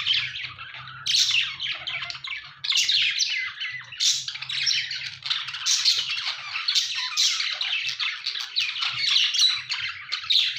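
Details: Chirping budgies in a noisy chorus of scratchy warbles, squawks and squeaks, several birds overlapping in near-continuous chatter over a low background hum.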